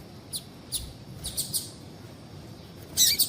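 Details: Calls of a female double-collared seedeater, meant to set males singing: a few faint, high, thin chips spaced about half a second apart, ending in a louder, fuller burst of quick chirps.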